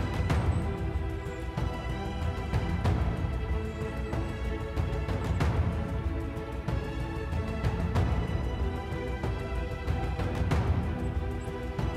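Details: Steady instrumental music with a deep, heavy low end and regular beats; no animal voices can be heard.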